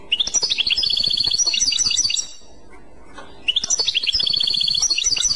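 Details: Clochette song of a European goldfinch: a dense run of high, rapid, tinkling twitters lasting about two seconds, a short silence, then the same bright chattering phrase again.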